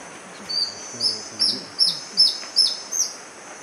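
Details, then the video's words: Near-endemic Magdalena Antbird (Myrmeciza palliata), recently split, at Rio Claro, Magdalena Valley, Colombia, in March 2012, giving a series of high, sharp, slightly slurred notes about every 0.4 seconds over a steady high insect-like hiss. "Magdalena Antbird"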